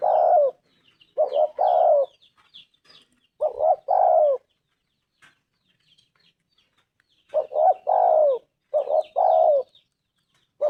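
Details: Clear, loud 'anggungan' of a Spotted Dove (tekukur): low rounded coo phrases, each a quick note followed by a longer falling one, repeated in groups separated by silent gaps, with little background.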